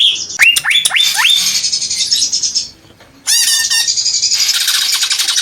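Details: Greater green leafbird giving a few quick down-slurred whistles, then dense, hissy, high chattering; a short silence, then another burst of rapid rasping and twittering notes.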